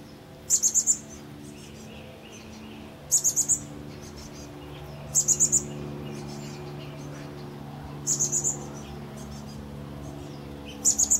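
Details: At least two chestnut-backed chickadee nestlings, almost ready to fledge, call from a birdhouse in Pleasant Hill, California, on April 28, 2013: bursts of three or four very high, thin squeaks every two to three seconds over a low hum.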